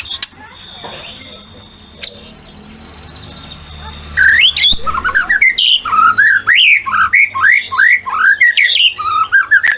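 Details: White-rumped shama, a captive song bird in full song used as a lure to provoke other shamas into singing, pours out a rapid run of loud, rich whistles and sharp rising notes, several each second, after a quiet start with faint room noise.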